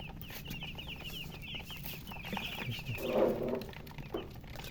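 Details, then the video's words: Domestic chicks, described as thirsty and wanting drinking water, peep in quick high chirps for about two and a half seconds; a louder, lower burst of sound then rises over a constant low hum. "Murgi chicks Chirping sounds with thirst for drink water"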